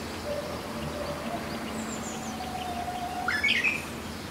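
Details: Korean bush warbler returned in April, singing among bamboo on a hillside behind a house: a faint long whistle and a short tumbling flourish, partly masked by background hiss and distant bird notes.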